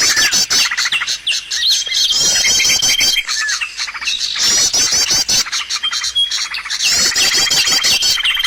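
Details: Lure recording used to attract birds for trapping: busy overlapping high chirps and rattling trills in surging bursts, with a long thin whistled note held for about a second now and then.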